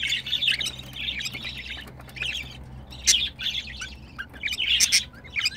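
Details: Pair of caged budgerigars during mating, a male and a female in heat: continuous scratchy, chirpy warble with quick rising and falling notes, some louder bursts and a faint low hum behind.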